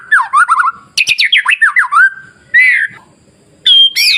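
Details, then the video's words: White-rumped shama masteran song meant to provoke other shamas: fast series of downward-swept whistled notes, then a brighter rising phrase and high sharp notes after a short pause. "SUARA MASTERAN KICAU MURAIBATU Pancing Murai Lain yang Takut Jadi Emosi dan gacor"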